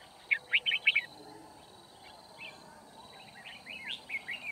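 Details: Red-whiskered bulbul used in a trapping session at Kim Bôi, Vietnam, 9 February 2019, giving a loud burst of quick chirpy whistled notes, then a softer run of rising and falling warbled phrases against faint background noise.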